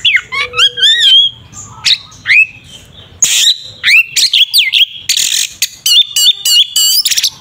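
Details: Oriental magpie-robin, known locally as kacer, in its ngeplong tarung fighting song meant to provoke a rival bird: rapid run of clear whistled notes, upslurs and downslurs, with harsh buzzy bursts mixed in.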